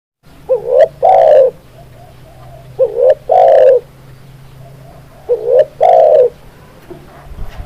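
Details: Spotted dove (tekukur) song used as a tutor recording to make birds sing. Three phrases about 2.5 seconds apart, each two short rising cooing notes followed by a long, loud, slightly wavering coo, over a faint low hum.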